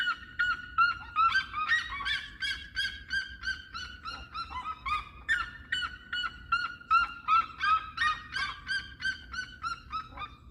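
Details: Red-legged seriemas in a long, sustained bout of song: rhythmic, loud, yelping barks at nearly three per second, overtone-laden and slightly varying in pitch, continuing steadily throughout over quiet low background noise.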